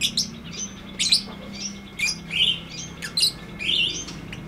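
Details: Lovebird giving its long ngetik ngekek chatter, meant to tutor silent lovebirds. Clicky chips mix with rough, wavering squeals that recur about every second, with a soft hum underneath.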